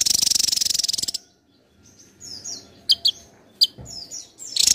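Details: A Javan tesia in vigorous competition-style song: a dense, rapid buzzy trill for a second, then a pause and a run of very high, thin whistles and sharp down-slurred chirps.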